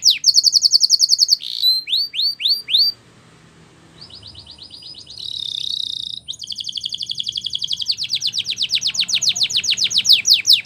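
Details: Canary, Spanish Timbrado training song: quick trill, upslurred whistles, a pause, a buzzy rattle, then a long accelerating series of sharp falling notes.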